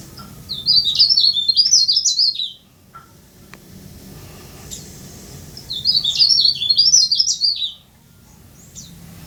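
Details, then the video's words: Leaf warbler, tame and vocal, kept as a cage bird: two bursts of high, rapid, jumbled twittering warble, each about two seconds long, separated by a pause, with a low hum beneath. "Burung Blereng/Tralis/Cikrak Daun/Pare-Pare/Sirlis"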